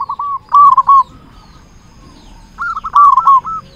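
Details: Local zebra dove, described as a loud, vigorous singer used as a lure for other zebra doves: rapid soft cooing notes near one pitch, delivered in two quick rolling bursts separated by a pause, with faint background bird chirps.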